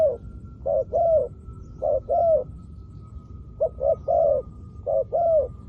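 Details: Decoy spotted dove luring wild doves to the ground, cooing in regular phrases: one or two short clipped coos followed by a longer, slightly falling coo, repeated about once a second with brief gaps.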